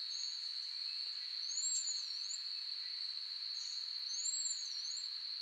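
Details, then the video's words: Azure-rumped (Cabanis's) tanager, Poecilostreptus cabanisi, song: high, thin whistles that waver up and down in two short phrases, over a steady, shrill insect drone. "Cabanis's Tanager Bird Song Video: Azure-Rumped Tanager"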